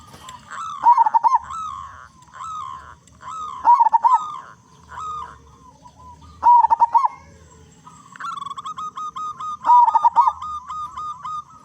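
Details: Loud local zebra dove singing actively as a lure to draw song from other zebra doves; four bubbling, stuttered coo phrases, each ending in a held note, spaced about three seconds apart.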